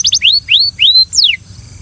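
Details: Belgian canary encouraging another canary to sing with a few clear upward-arching whistled notes and one sharp falling note, spaced about a quarter second apart.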